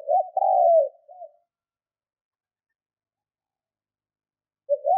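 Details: Spotted dove decoy cooing: one phrase of a short double note, a longer descending coo and a small trailing note, followed by quiet before the next phrase starts.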